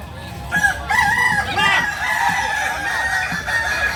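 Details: A Kukuak Balenggek rooster from Solok, West Sumatra, gives a stepped crow. A strong rising phrase breaks into several short notes of changing pitch and then holds a long steady tone, with soft clucking underneath.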